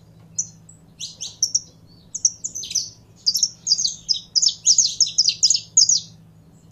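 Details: Saffron finch kept as a cage bird, warming up: sparse high chips at first, building into fast, crowded clusters of bright downslurred notes, with a soft low hum behind.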